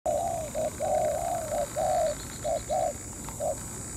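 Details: Spotted dove calling from a ground decoy trap, drawing a wild dove down to fight over territory from morning until noon; mellow hollow coos in a broken series, some long and drawn out, others short, with a steady high insect-like whine behind.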